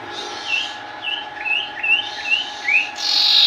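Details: Sooty-headed bulbul in energetic song: a run of six short, clear whistled notes, each sliding upward, about every half second, with a steady low hum underneath.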